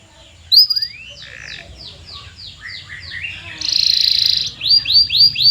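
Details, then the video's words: Canary singing, played as a lure for silent canaries: an upward slurred whistle, a series of descending repeated notes, a loud even rolling trill, then quick rising chirps. "Is Your Canary Silent⁉️🤫 Try This MAGICAL LURE for 5 Minutes!"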